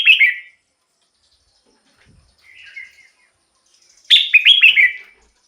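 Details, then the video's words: Caged red-whiskered bulbul song, used to excite other birds or lure wild ones: a short bright warbled phrase at the start, a faint softer snatch midway, then a loud burst of quick rising-falling notes near the end. "เสียงนกกรงหัวจุก สำหรับต่อ หรือ เปิดให้นกคึก เสียงเพราะๆ"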